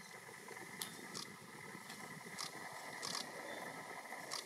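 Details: In Yokohama, Japan, on 20 January 2021 (winter), a male red-flanked bluetail gives sharp, dry tacking clicks at irregular intervals, roughly one every half second to a second, over a steady hum of distant traffic.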